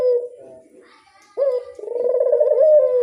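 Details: A Barbary dove lure call: a fading end of a coo, a gap, then a fresh coo opening with a sharp rise into a long, vibrating, gently falling tone.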